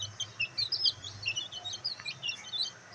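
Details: Loud, close peeping from black bantam chicks enjoying sunlight: rapid high chirps crowd together almost without pause, over a low rumbling hum.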